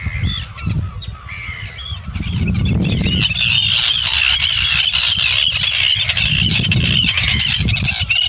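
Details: Arctic terns in the UK in July 2016 give harsh, grating, high-pitched calls in a rapid, overlapping chorus, about three a second, over low wind rumble.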